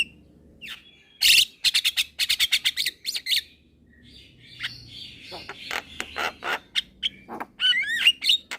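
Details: Young Javan myna singing actively and nodding its head, a tutor recording for training other birds: short harsh rasping bursts in quick runs, then whistled notes and buzzy chatter, with a few rising and falling slurred whistles.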